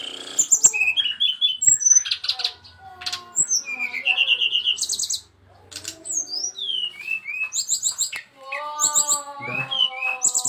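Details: A brown-chested jungle flycatcher gives a varied song of sharp chips, dropping whistles and short buzzy trills, with two brief pauses, while soft speech is heard in the background.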